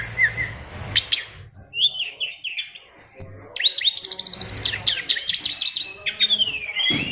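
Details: Fighter-style caged oriental magpie-robin delivering a song crowded with mimicked fills: shifting whistled phrases, sharp chips, then a long fast rattling trill and looping slurred whistles.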